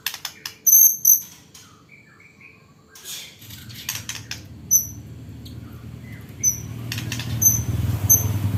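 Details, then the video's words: White-rumped shama singing with learned hanging parrot (srindit) song and a strong fighting style: very high, thin paired whistles come in short bursts, mixed with sharp clicks and a low hum below. "MURAI BATU ISIAN BURUNG SRINDIT"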